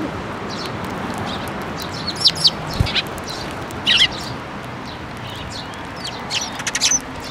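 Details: Sparrows, including the first fledged chick of the year, flocking for food at a Tenmangu shrine, 7 May 2024: bursts of bright, clipped chirps in small clusters, the last a rapid run of several notes, with constant low hiss behind.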